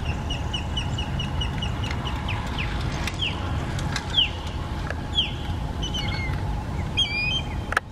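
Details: Osprey recorded while traveling in Florida on a Canon PowerShot SX70 HS, giving a rapid run of short, high whistled chirps, then louder down-slurred cheeps at uneven intervals, over a steady hum and low rumbling background.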